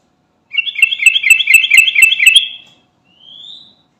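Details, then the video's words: Sooty-headed bulbul of the garuda type, calling to companions and used as a lure bird: a fast, bubbly chattering run of repeated notes lasting about two seconds, then one thin rising whistle. "Burung Trucukan Garuda Gacor Manggil Teman"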